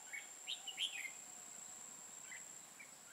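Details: Red-whiskered bulbul used as a decoy during trapping on 5 October 2018, singing to challenge rivals: short, scattered whistled and slurred phrases with pauses between, over a steady thin high-pitched electronic tone.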